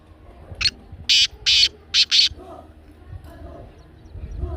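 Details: Loud grating call of a black francolin (kala teetar), meant to stir a pet bird into calling: five rasping broadband notes, the middle two longest, the final pair close together, with faint low background noise.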